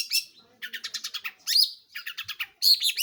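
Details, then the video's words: Long-tailed shrike in full song: a loud harsh burst, a rapid rattling series of about eight scratchy notes, then more harsh screeches with thin squeaky whistles. "burung pentet/cendet gacor"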